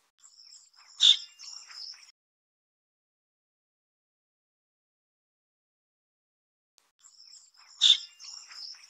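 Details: Black Drongo (Taiwan subspecies Dicrurus macrocercus harterti) chicks being fed at the nest in Taiwan: two bursts of high, hissy, scratchy begging calls, each about two seconds long with a sharp squeak near its start, separated by several seconds of quiet.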